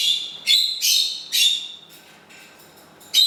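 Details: Pet parrot singing Happy Birthday to its owner on the owner's birthday, repeated several times: a run of bright, tonal, slightly raspy notes, some held, with a quieter stretch before a final sharp note.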